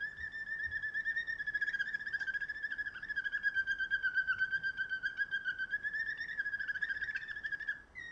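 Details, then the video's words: A song canary holds a continuous low whistled trill that wavers gently in pitch, finely pulsed and rolling throughout, with faint higher overtones and no other sounds. "List of Song canaries singing : Bred for their sweet Canary singing ability"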